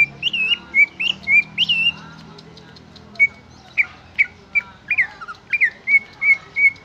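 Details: Greater green leafbird song of bright slurred whistles in quick bursts, then evenly spaced single notes and twisting phrases, all clear and loud over quiet background.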